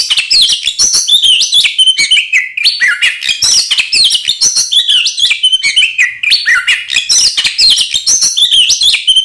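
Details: Oriental magpie-robin fighting song, a lure to provoke rival magpie-robins; fast continuous torrent of bright whistles, rising slurs and scratchy chatter, phrases cycling roughly every few seconds, close and loud.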